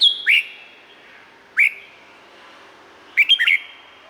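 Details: Red-whiskered bulbul, Thailand: three short whistled bursts, the first two brief upslurred notes, the last a rapid cluster of four bubbly notes, separated by about a second and a half of quiet.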